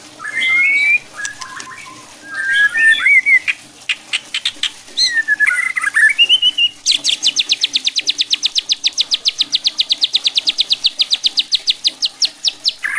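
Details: White-rumped shama song to provoke other shamas: varied whistled and slurred phrases at first, then a long fast train of sharp repeated high notes lasting about six seconds.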